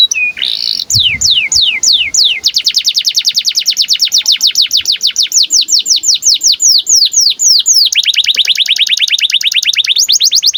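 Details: Breeding-condition canary whose song serves to tutor young canaries: a short slurred opening, slow falling swoops, then a long rapid rattle of high notes shifting into a lower, denser roll.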